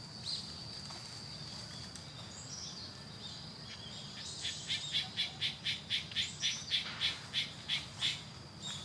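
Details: Female Narcissus flycatcher: a quick run of short, sharp high notes, about four per second, steady in pitch from the fourth second to the end, over a constant high insect-like whine and low background rumble.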